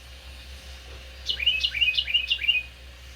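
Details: Carolina Wren, a parent nesting in a patio planter and feeding babies mealworms, sings loudly all day. Here it gives four rolling phrases in quick succession, each a bright dropping whistle at about three per second, against a quiet background.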